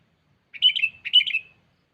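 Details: Sooty-headed bulbul summoning a rival, lure sound: a pair of quick, rich, warbling bursts half a second apart, each a tight cluster of liquid notes fading off.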